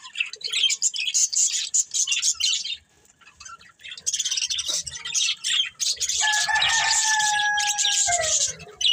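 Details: Pair of breeding budgerigars chattering in high buzzy bursts, a short silence, then more warbling overlaid by a long steady lower drawn-out call.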